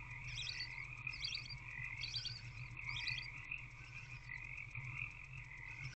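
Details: Barn owl owlets in a nest box at night, early morning around 4 am while the mother is away: a few short, rough, hissing bursts about a second apart over a steady background hum.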